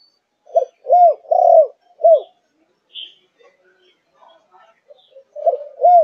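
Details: Four-month-old spotted dove, Malaysian line, thúc gù style. A clear phrase of four low arched coos opens, then a quiet pause with scattered faint notes, and a new coo phrase begins at the end.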